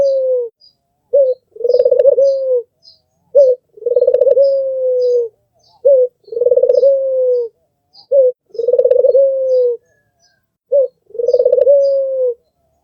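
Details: Albino red-eyed Barbary dove, a white tutor bird, cooing: a short clipped note then a long throbbing coo sliding into a level drawn-out tone, repeated about every two and a half seconds, faint chirps behind.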